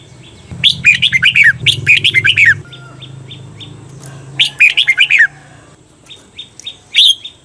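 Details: Red-whiskered bulbul singing the 'double' (เบิ้ล) training song for Thai cage birds; three rollicking phrases of fast chirped notes, alternating with runs of thin, repeated short ticking notes, over a low background hum.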